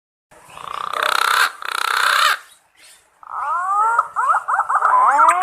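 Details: Green pigeon recorded directly from the bird, calling its companions, used as a hunting lure; harsh broadband rasping sounds first, then a run of wavering, bending whistled notes in a rapid series.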